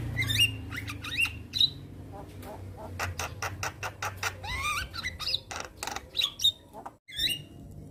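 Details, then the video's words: Black-winged starling, white-headed, singing with bobbing head: sharp whistled upslurs and squeals among rapid rasping clicks and chatter, with a brief break near the end. "Jalak Kebo Maput Gacor Manggut - Manggut"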